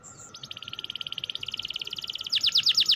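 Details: Canary in rolling 'ngerol' song that prompts lazy canaries to sing: a high whistle opens a long, even, rapid trill that ends in louder, sharper chirped notes, with a faint electrical hum behind.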